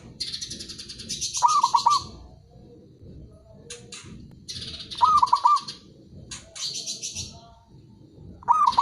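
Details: Zebra dove, a local bird, in song played to prompt reluctant doves to call: three quick, trilled coo phrases spaced roughly every three and a half seconds, alternating with loud high buzzy chirps from other birds.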